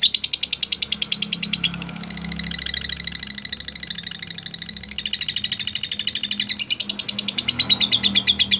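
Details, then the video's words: Lovebird used in bird contests to call rival birds, chattering in rapid high buzzy pulses that soften briefly in the middle, then return louder, with pitch sliding slightly downward at the end. "Ampuh Memanggil Lawan | LOVE BIRD LATAH GACOR"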